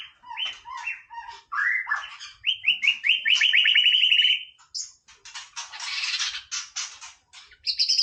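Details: White-rumped shama singing casually: rising whistles build into a rapid, even trill, followed by harsh, raspy bursts and a final high, buzzy note.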